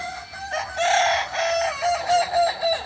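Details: Balenggek crowing rooster in training at Ampang Kualo, Solok, giving a sustained harmonic crow broken into several short pulsing syllables at a steady pitch, with other birds faint in the background.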